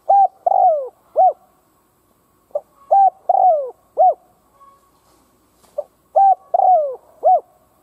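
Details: Kept decoy spotted dove cooing to provoke wild doves: three repeated phrases of low, mellow coos, each a short soft note, a level coo, a long falling drawn-out coo, then a brief arched coo, with quiet gaps between.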